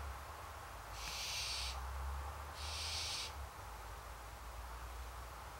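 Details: Hungry barn owls begging: two harsh, hissing screeches, each lasting under a second with a pause between, over a steady low rumble.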